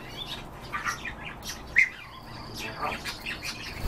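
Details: European bee-eaters in the morning give soft, rolling, liquid chirps, scattered irregularly over a few seconds against a light outdoor hiss.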